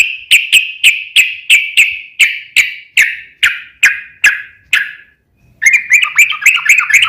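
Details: Sooty-headed bulbul song used to lure other bulbuls into singing; a steady series of about a dozen evenly spaced, sharp chirps, then a quick burst of fluid warbled notes.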